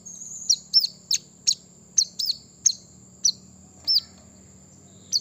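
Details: Brown-throated sunbird singing to call rivals: bright, high, curved chip notes repeated about twice a second, some doubled, with a constant thin high whine behind them.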